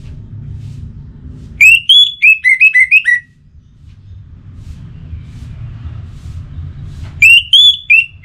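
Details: Orange-headed thrush (anis merah) with pacingan stimulus sound to keep it singing: two bursts of fast, clear whistled phrases, slurred up and down, separated by about four seconds of low humming background.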